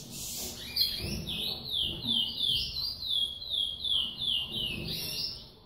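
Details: Brazilian bird called baiana, a caged female feeding her chick: high, rapid, sweeping whistled notes repeated in a fast, slightly irregular series, with low rumbling room noise beneath.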